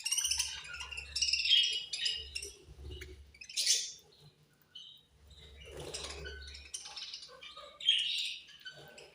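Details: Several budgerigars chatter angrily during feeding. Bursts of scratchy, buzzy chirps come and go over nine seconds, broken by brief quiet gaps, with faint low thumps and rustles beneath.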